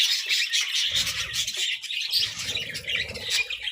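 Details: Pet budgies eating vegetables give rapid, busy chirps and warbled twitters, many birds overlapping, over soft low crunching from the food.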